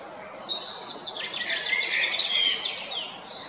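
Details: Singing male Eurasian blackbird, Jarun, Zagreb, Croatia, 22 April 2021: after a quiet start, a rich warbled phrase of mellow whistles wavering up and down, ending in higher squeaky flourishes, with light background hiss.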